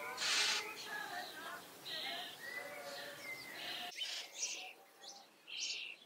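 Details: Young common starlings begging while fed in a garden: a loud hoarse screech, then softer raspy churring, followed by several short harsh hissing bursts.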